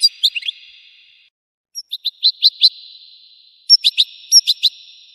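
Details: European goldfinch singing in bright, tinkling chirps and short twittering notes, delivered in quick bursts separated by brief pauses, with a thin sustained high tone underneath.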